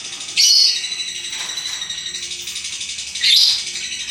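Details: Lovebird with ngekek chattering: a steady high buzzing trill runs throughout, broken by two loud piercing screeches, one near the start and one near the end.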